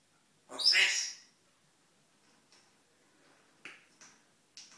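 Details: Pet African grey parrot, male, chattering to himself in the morning indoors: one loud harsh squawk, then soft brief clicks and short raspy notes at irregular intervals.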